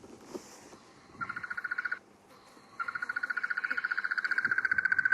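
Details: Crested barbet recording played back from a device by a safari guide in the bush: a brief rustle, then a fast, even, monotonous ringing trill that breaks off for a second and resumes, steady and unbroken.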